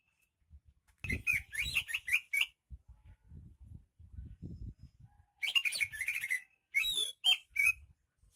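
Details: Greater green leafbird from Banyuwangi, described as a rare, lively singer: two bursts of rich, warbling whistled phrases, separated by a pause filled with low thumping noises.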